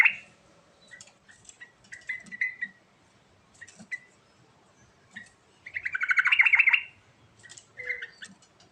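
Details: Sooty-headed bulbul singing actively in 'gacor' style: scattered short chirps and brief phrases, then a loud rattling burst of rapid notes lasting about a second, followed by a shorter chattering phrase.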